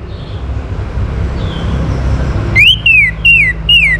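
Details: Orange-headed thrush, whose song is used as a lure to set other birds singing. After low background noise, four loud whistled notes follow, each rising briefly and then sliding down.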